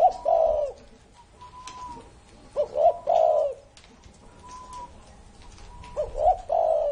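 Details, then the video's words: Low, soft cooing from a spotted dove more than thirty years old, kept as a cage bird: three rounded multi-note coo phrases, roughly three seconds apart, over quiet room noise and a faint higher whistle. "CU GÁY CỤ hơn 30 năm tuổi !"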